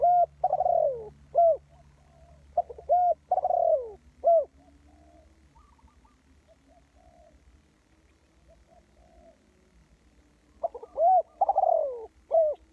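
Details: Spotted dove calling as a lure for trapping birds: bursts of soft, hollow coos with arched and falling notes, a quiet gap of faint far coos, then another burst, over a low background hum.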